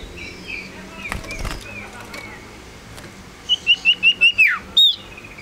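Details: Singing male Common Iora (sirtu, cipoh), a small tame yellow bird, gives six short evenly spaced high whistles ending in a falling slur, then one separate clear note; earlier part holds only faint whistles and clicks.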